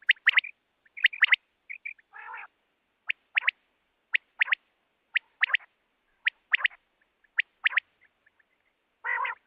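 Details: Quail call used for trapping quail in the spring month of Baisakh: sharp, clipped notes grouped in twos and threes, repeated about every second, with two short rasping bursts between phrases.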